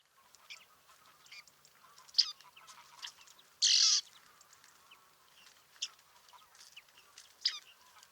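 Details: Bearded reedlings (Panurus biarmicus) at Liepāja, Latvia, July 2023, give short, high, metallic 'ping' notes at irregular intervals, with one harsher, buzzy half-second burst midway and soft chatter beneath.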